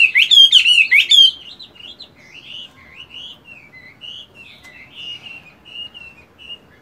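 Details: Chinese hwamei kept in a cage sings despite moulting, in morning voice practice. A loud burst of rapid, ringing looped whistles opens the song, followed by quieter, wandering warbled whistles.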